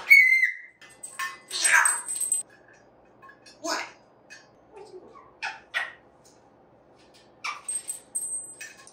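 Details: African grey parrot, a pet, yelling during happy play-time: sharp whistled notes and harsh squawks in short bursts, some high piercing whistles near the end, with quiet gaps between calls.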